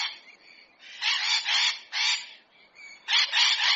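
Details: Hyacinth macaw in nature giving raucous, rasping squawks in uneven bursts, some run together and others short and clipped, with faint higher notes between.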